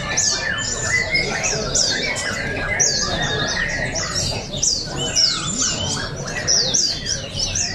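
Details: Caged oriental white-eyes sing in an open bird song and style contest in Balingian, Sarawak, 2023: dense bursts of fast, high, downslurred chirps overlap continuously above murmuring people and low background noise.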